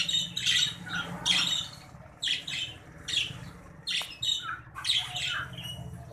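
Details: Breeding pair of green budgerigars calling: busy, harsh chattering squawks in clustered bursts, closely repeated over six seconds, over a faint low background hum.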